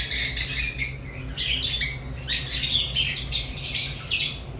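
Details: African lovebirds giving spaced bursts of raspy, squeaky chirps, each about half a second long, about two per second, over a low background hum.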